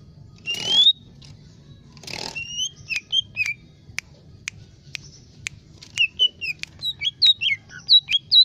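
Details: Lesser green leafbird (cucak ijo mini) singing: two long rising whistles, then a string of short chirps, clicks and quick slurred notes that speeds into lively twittering.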